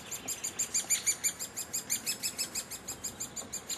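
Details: Great spotted woodpecker (Dendrocopos major) nestlings, high in a tree at Heeze and fed by a parent, beg with a shrill, unbroken chatter of high, thin chirps, about three a second.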